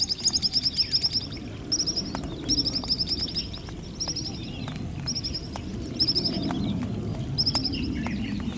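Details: A pied kingfisher (Ceryle rudis) in Kinmen, where it is resident near ponds, reservoirs and coasts, gives bursts of sharp, high, squeaky chirps, several quick notes at a time, repeated every second or so over a low rumble of wind.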